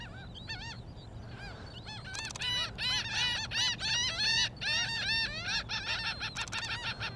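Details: Laughing gulls on the beach at Jones Park, Gulfport, Mississippi, on a morning at low tide, give loud, nasal, cackling laugh-like cries in rapid overlapping series, several calling together, over a low hum of surf or wind.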